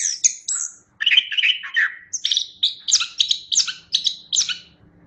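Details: Lively Chestnut-backed thrush song. High thin whistles open into a rapid sequence of clear, evenly spaced ringing notes, repeated several times per second in a bright, chiming rhythm.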